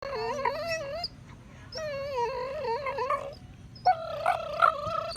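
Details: Male pet Nova Scotia duck tolling retriever happily chewing a bone indoors; high squeaky whines, wavering and tonal with rich overtones, in three drawn-out bursts of about a second each, separated by short breaths.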